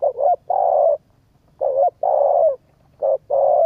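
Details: Spotted dove cooing to stimulate a decoy bird: low, mellow coos come in three paired bursts, each a short note followed by a longer drawn-out one, against a quiet, clean background.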